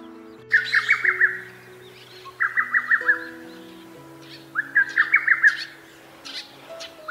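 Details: Lesser Cuckoo in Harima Central Park, northern Harima, central Hyogo, Japan, gives three loud bursts of five or six quick, staccato whistled notes, tumbling and slightly uneven, over soft background music.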